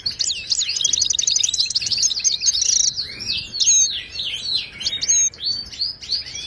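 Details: Wild Moroccan European goldfinch song for tutoring caged birds, opening with a loud fast buzzing trill, then lively twittering slurs and sharp chips delivered without a break.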